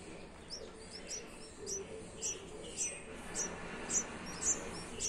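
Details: Red-whiskered bulbul (Pycnonotus jocosus) baby bird (chick) giving thin, very high squeaky notes, repeated steadily about twice a second, over soft low background noise.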